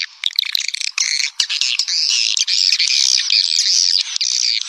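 Swiftlets chatter in a dense, continuous stream of high, buzzy twitters and squeaky chirps, overlapping with no real pauses.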